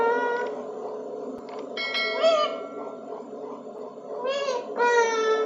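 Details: Rescued Alexandrine parakeet, a ringneck parrot in India, speaking words in Hindi; harmonic, nasal, speech-like syllables in short phrases with rising and falling pitch, some sharper bursts, against a light background hum.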